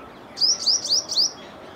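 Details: Purple sunbird giving four quick, very high, thin upslurred notes in under a second over a soft steady hiss; jungle babblers, red-vented bulbul, rose-ringed parakeet and a squirrel call in the background of this recording.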